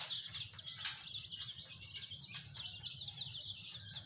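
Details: Colorful chicks peeping: dense overlapping high, thin chirps repeated rapidly and unevenly, with a low background hum throughout.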